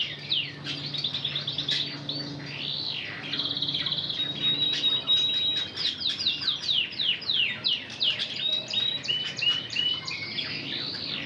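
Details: Spanish Timbrado-trained Red Intense canary singing a varied run of rapid trills and swooping rolled notes, tempo quickening toward the end, with a low steady hum underneath.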